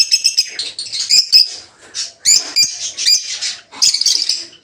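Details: Aviary flock of peach-faced (rosy-faced) lovebirds kept for breeding, in green opaline, dark green, blue rosy and lutino colours. Almost continuous high, grating chatter, with dense clusters of sharp squeaky notes and brief pauses.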